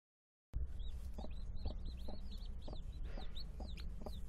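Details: Mother hens caring for their chicks give low, short clucks repeated roughly every half second. High, thin, falling peeps from chicks run steadily over them, with a low rumbling hum underneath.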